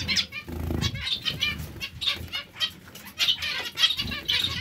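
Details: Zebra finches calling together in a colony. Quick, high, nasal chirps come in uneven clusters, mixed with loud, low wing-flapping and rustling as birds move about.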